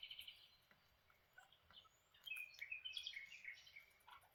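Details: Breakfast-time chatter from lineolated parakeets: a few high chirps early, a quiet pause, then a lively stream of whistled twitters and short trilled notes, over soft low hum.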